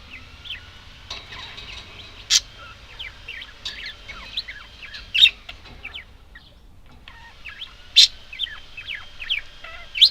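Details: Budgerigars keep up a busy warble of short rising and falling whistles, punctuated by loud sharp clicks, with a brief lull around the six-second mark before the chatter resumes.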